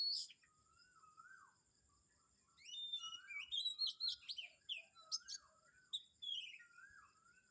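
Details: At Kamphaeng Saen in the morning, mixed birds call: looping mid-pitched whistles repeat between bursts of bright, rapid chirps and descending trills. A steady high tone persists behind them.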